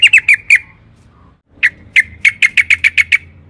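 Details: Sooty-headed bulbul used as a lure to make other birds answer: four sharp, clipped notes, a pause of about a second, then a quickening string of about ten identical short notes.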